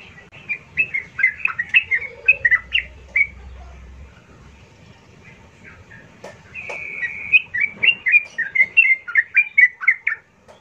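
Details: Yellow-vented bulbul song used as a lure recording: bursts of bubbly, chattering notes around two to three kilohertz, about four per second, a pause, then another lively run, with a short steady whistle between.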